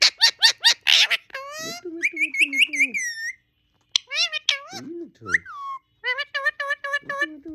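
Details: Pet parrot talking indoors: a run of rapid clicking pulses, then whistled, speech-like phrases with wavering tones and short pauses, mimicking human words.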